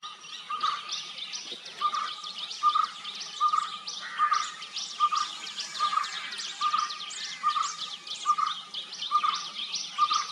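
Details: White-cheeked barbet (Psilopogon viridis), of southern India, giving a steady series of low, hollow notes, about one every second, over busy high chattering from other birds.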